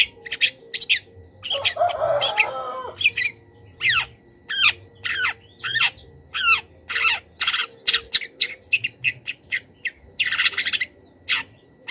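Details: Long-tailed shrike master song for training cage birds, full of wild-bird imitations: a harsh lower grating squawk early on, then a long series of sharp high chips and buzzy notes.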